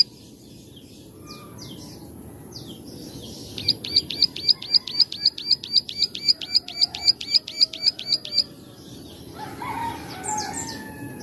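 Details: Plain prinia recorded as a master song for teaching birds. After some scattered faint chirps, a rapid run of about twenty crisp, high clicks follows at a steady pace, then fades into soft background noise with other faint calls.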